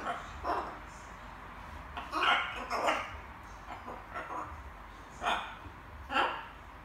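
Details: Little pet macaw practising assorted words at evening, producing soft, grainy, word-like chatter in clustered syllables with short pauses, recorded inside a small quiet room.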